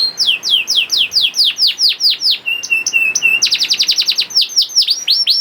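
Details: Young canary singing a lure song to prompt other canaries: steady series of bright descending whistles, a run of level piping notes, then a faster burst of sweeps.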